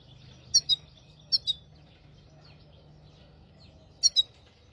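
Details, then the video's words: Hybrid finch, singing as a tutor for goldfinches and canaries: sparse pairs of sharp, high chirps, each pair quick and clipped, separated by long quiet gaps over a low steady hum. "تغريد رهيب طائر الهجين"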